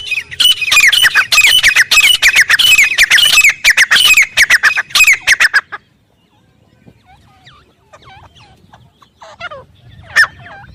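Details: Wild grey francolin in jungle, loud calling: about five seconds of fast, grating, overlapping shrill notes, then the series breaks off into quiet, with a few soft thin chirps and one sharp note near the end.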